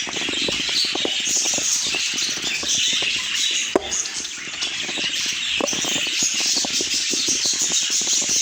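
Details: Budgerigars chorusing with busy, high-pitched warbles and short whistled chirps, accompanied by frequent clicks, wing flutters and one sharp knock near the middle.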